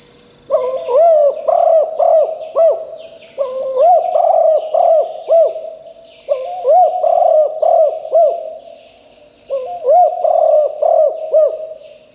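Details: Decoy spotted dove calling so loudly that wild birds answer: four bursts of low, rolling coos, each a quick string of arched notes, spaced a few seconds apart over a constant high-pitched whine.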